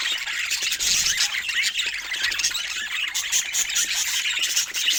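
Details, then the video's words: Two budgerigars in love keep up a busy, high-pitched chirping chatter, with rapid scratchy twitters and squeaks running without a break. "Cute Budgies in Love 💕🐦 Sweet Chirping Sounds That Bring Joy"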